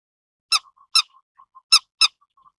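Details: Grey-headed lapwing giving four sharp, harsh, clipped call notes in two pairs, each pair about half a second apart, with soft low piping notes between them against a quiet background.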